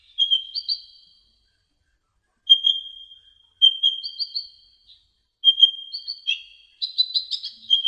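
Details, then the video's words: Olive-backed sunbird (kolibri ninja) tutor song for training songbirds: high, thin whistled notes held level, each followed by a short brighter flourish, in separate bursts about every one to two seconds, the last phrase a denser twittering. "MASTERAN KICAUN KONIN KOLIBRI NINJA"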